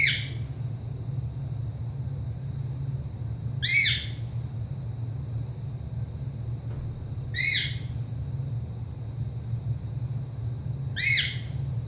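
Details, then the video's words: Male pet ringneck parrot calling indoors when its owner leaves the room, something it does several times a day: loud, harsh, shrill squawks repeated roughly every three and a half seconds over a steady electronic whine and low room hum. "my Ringneck making the noise he makes when I leave the room"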